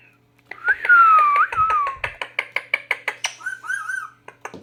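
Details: Talking pet Indian ringneck parakeet at a computer, indoors: a loud whistled note gliding down and up over steady clicking taps, then a brief high squeak and wavering chirpy notes.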